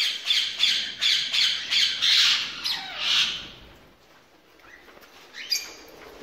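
Ringneck parakeet giving a run of harsh, screechy squawks, about three a second for three seconds, then fading to quiet with one last squawk.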